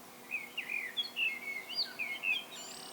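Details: Common blackbird singing solo: a short run of fluted, warbling phrases that rise and fall, ending in a higher thin flourish, over faint background hiss.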